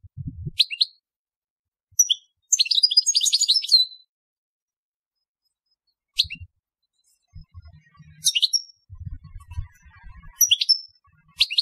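A European goldfinch sings bright, high tinkling chirps and a quick liquid twittering run, separated by short pauses, with a few low knocks and thumps in the background.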